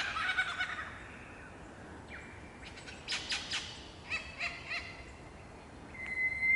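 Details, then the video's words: Morning song of a wild lyrebird perched on a branch in Australian cool temperate rainforest. Varied phrases: a long clear whistle, a descending slide, short bursts of rapid clicks and churrs, then a steady high whistle at the end. "Lyrebird sings on a branch in cool temperate rainforest (Птица Лира поёт в прохладном дождевом лесу)"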